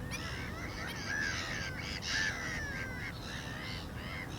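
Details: Black-winged stilt calling in a rapid run of harsh, nasal, yelping notes, several each second throughout, with steady low rumble beneath.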